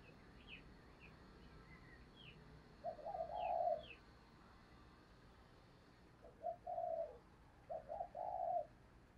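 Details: Spotted dove decoy cooing to lure wild doves, two low cooing phrases heard at a distance over background hiss, with thin higher chirps from other birds early on.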